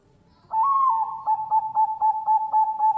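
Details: A female Bangkok-type zebra dove at a bird farm in Kebumen, Central Java, Indonesia, coos a soft, mellow note around one pitch, then breaks into quick pulsed coos about four per second, with faint background rustle.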